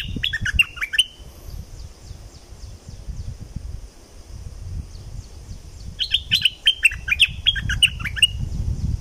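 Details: Southern Thai streak-eared bulbul giving bursts of fast, bubbly chirped notes at the start and again after six seconds, over steady low background rumble.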